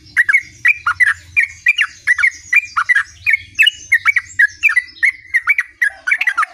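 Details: Continuous rolling song of a sooty-headed bulbul, gacor ngerol style: bubbly, slurred two-part notes tumbling out several per second in a steady, chattering run, faint low hum beneath.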